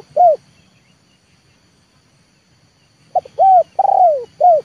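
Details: Decoy spotted dove of the 'leopard' type luring wild birds down to a yard. The clip starts with the tail of one phrase. After a gap comes a full one: a soft note, a bowed coo, a long rolled coo dropping in pitch, and a short coo.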